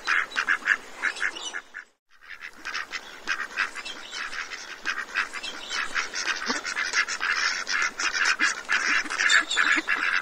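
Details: Ducks in a feeding frenzy at Cambridge, Maryland, giving a dense run of harsh, rapid quacks that overlap constantly, with a brief hush near the two-second mark before the noisy chorus resumes.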